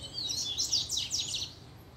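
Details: Short, dense burst of high buzzy chirps and sweeping notes from a double-collared seedeater excited by a female's appearance.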